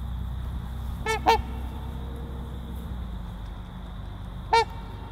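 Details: Trumpeter swans of a breeding pair give a quick double honk, two nasal notes in close succession, then a single honk about three seconds later, with a low steady hum underneath.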